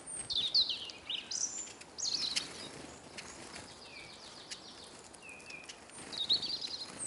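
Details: Hungry Eurasian siskins (Carduelis spinus), many at a bird table in Kolmården, Sweden, recorded with a camera lying on the ground beneath the feeder. High, thin twittering calls and short descending whistles come in scattered bursts.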